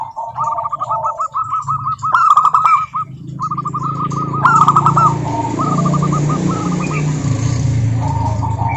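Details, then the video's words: Local zebra dove song, played as a lure to get other doves singing: bursts of rapid, evenly spaced soft cooing notes run in staccato series lasting one to two seconds and repeat with short gaps, over a steady low rumble and occasional clicks. "Suara Burung Perkutut Lokal Gacor OBAT MACET BUNYI, pancingan perkutut agar bunyi jamin NYAUT EMOSI"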